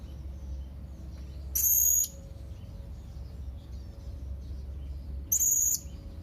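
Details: Calling young blue-crowned hanging parrot challenging rivals with two sharp, level, very high whistled notes roughly four seconds apart, each about half a second, against a steady low hum.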